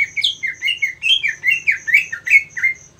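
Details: Greater green leafbird (cucak ijo), kept for song competitions, singing a rapid run of chirped notes that swoop up and down, roughly two per second, over a steady pulsed insect-like ticking in the background.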